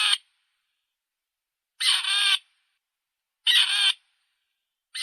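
Grey Partridge giving harsh, grating, rusty-hinge calls, each about half a second long, repeated roughly every one and a half seconds against a silent background.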